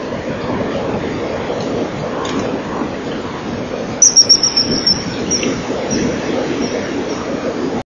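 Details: Common kingfisher at a nesting-wall camera on 25 November 2012 at 10:41, after basking a few minutes in sunshine on the rear perch, flies off peeping: a sharp, very high whistle followed by a quick burst of piercing notes over steady rumbling background noise.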